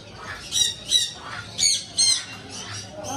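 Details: Pet parrot screeching in quick harsh bursts, about one per second, high and raspy, with low background hum underneath.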